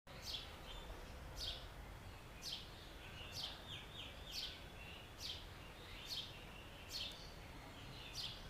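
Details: A house sparrow gives short, bright chirps, one roughly every second, about nine in a row, over a low rumble of background noise.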